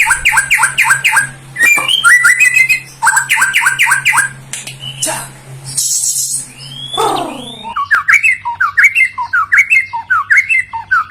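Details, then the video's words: White-rumped shama song for triggering replies from silent shamas: fast repeated rising notes in tight series, a few buzzy high bursts, then a stream of quick chirping whistles. "MURAI BATU MACET, STRES Langsung NGRESPON dan Nyaut Denger KICAUAN INI"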